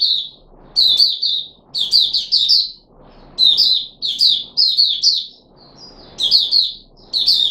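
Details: Caged red-whiskered bulbul of the Puteh Raja type, fed fruit juice and one mealworm, 13 April 2021: short bright chattering phrases of rapid slurred notes, bursts about every second with brief pauses, over a soft low hiss.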